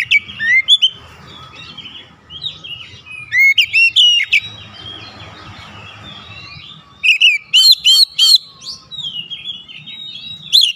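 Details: Caged oriental magpie-robin (kacer) answering a challenging rival with loud song: bursts of whistled, warbling notes and sharp chirps separated by quieter gaps, over a low steady hum.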